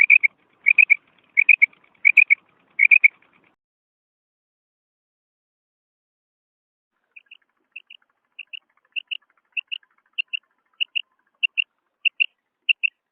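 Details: Natural call of a female quail: a run of loud doubled whistled notes, then a pause of several seconds, then softer single short whistles repeated at a steady pace, roughly two per second.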